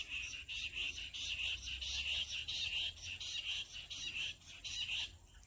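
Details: Jungle bush quail call serving as a trapping lure: bright, high-pitched twittering bursts repeated rapidly, roughly ninety per minute, with brief gaps between phrases.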